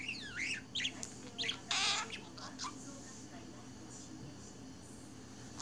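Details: Pet budgerigar absorbed in its own world, chattering: a quick run of varied sweeping chirps and clicks in the first two seconds, including one harsh raspy burst, then near quiet with a faint steady hum.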